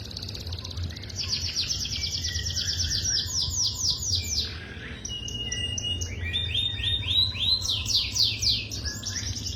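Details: Canary song in a tutoring recording for young canaries: rapid, high, chirping trills of repeated notes in long runs, broken by a short pause near the middle, over a steady low rumbling hum.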